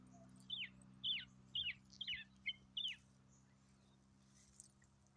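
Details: A northern mockingbird in a bush, possibly a baby, gives six short, sharp, hooked chip notes about twice a second, then falls quiet, over a low steady hum.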